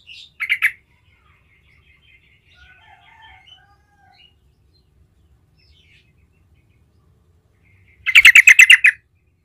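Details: Trucukan (yellow-vented bulbul) singing to coax other bulbuls into answering. A brief chatter opens, then quiet, faint twittering, and finally a loud dense burst of rapid chattering notes near the end.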